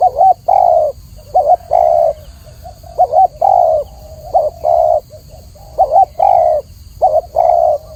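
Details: Spotted dove song, clear and repeated: paired short wavering notes and longer level coos at irregular spacing, about 49 per minute, with soft low coos in between.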